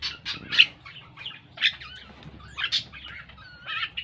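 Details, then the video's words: Javan myna learning to sing utters scratchy chattering notes and short squawks, roughly one burst a second, mixed with thin whistled slurs over a noisy low rumble. "Suara Burung Jalak Kerbau / Kebo....Belajar Gacor..."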